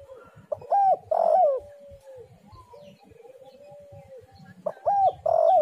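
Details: Spotted dove coo phrase for luring doves: an arched note and a long buzzy falling coo, then a few seconds of low humming, and a second phrase beginning at the end.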